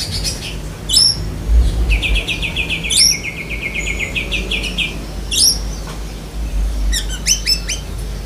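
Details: Mimicking song of a black-breasted Oriental magpie-robin that includes lovebird phrases: shrill squeaks bracket a long, steady trill of repeated notes lasting about three seconds, then quick paired chips, with low background hum.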